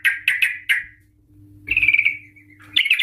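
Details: Trucuk, the Yellow-vented bulbul, in a lure recording meant to prompt captive birds to sing in long rolling phrases. Three quick scratchy notes, a pause, then a slurred, bubbling chatter over a low electrical hum.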